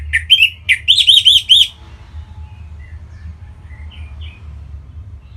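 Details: Caged Orange-headed thrush singing from Bali, used to prompt other birds to sing: a rapid burst of bright, high chirped notes, then a run of four arched, warbled notes, followed by faint distant twitters over low steady hum.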